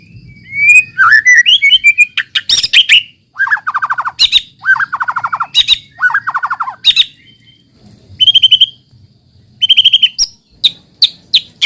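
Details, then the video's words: White-rumped shama singing, used as a lure so other shamas start to sing: a warbled opening, then rapid buzzy trills in short bursts separated by brief pauses, with sharp high clicks. "pancingan muraibatu yang efektif untuk murai bahan cepat bunyi | shama bird"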